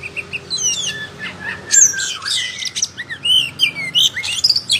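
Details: Oriental magpie-robin singing hard while fanning its tail, a tutor recording for silent birds; varied chattering phrases, high thin whistles and rough buzzy notes in quick succession, with a few falling slurred calls.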